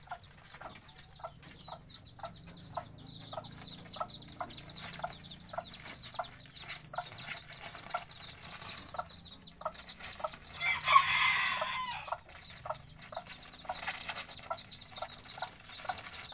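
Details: Many bantam chicks cheeping in thin, high, downslurred notes, with lower clucks repeating about every half second and a brief loud rustling scuffle near the eleventh second.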